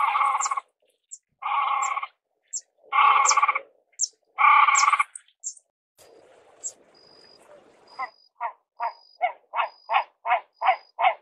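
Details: Great crested grebe calling: several drawn-out nasal notes, each about half a second and richly layered, then a quickening run of short rising notes roughly twice a second, with a thin steady tone in the background.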